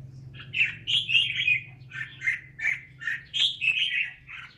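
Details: Song of one red-whiskered bulbul praised as talented: lively whistled and warbled notes in quick bursts, about three per second, rising and falling, with a faint low hum underneath.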